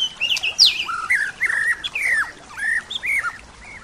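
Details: White-rumped shama singing full isian, a song filled with imitated calls; a sharp high sweep opens a run of clear, slurred whistles that step up and down in short varied notes, over a quiet background hiss.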